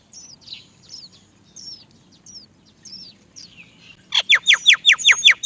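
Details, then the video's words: Great myna chicks waiting for their mother to feed them while she struggles to find food: faint hooked whistles at first, then a sudden run of loud, harsh rasping squawks repeated rapidly and steadily, almost three per second. "Many Great myna baby birds are waiting to be fed by their mother"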